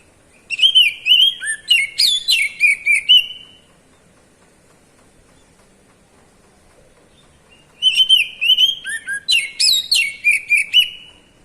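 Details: Two bursts of White-rumped shama kacer ngeplong calling, each about three seconds of rapid bright chirping whistles with high sweeps, separated by four seconds of quiet.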